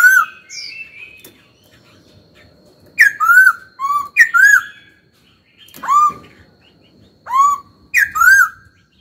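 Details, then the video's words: A caged laughingthrush sings to stimulate other birds: a soft opening whistle, then a stretch of near silence, followed by bright ringing slurred notes in pairs and singles. "Khướu hót cực hay, kích bổi hót ngay"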